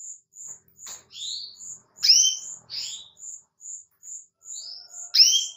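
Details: Female canary luring a male with her call, a regular run of short high notes with rising sweeps and two loud, falling, two-toned chirps.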